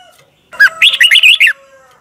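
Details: Red-whiskered bulbul from Thailand singing one lively phrase: a short upward note followed by a rapid chain of five chirpy, rolling notes, clean and loud against a quiet background.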